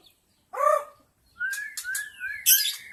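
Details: White-rumped shama from the wild forest, a lure song to draw in wild shamas: a harsh rasping note, a pause, then clear rising and falling whistles broken by sharp scratchy bursts.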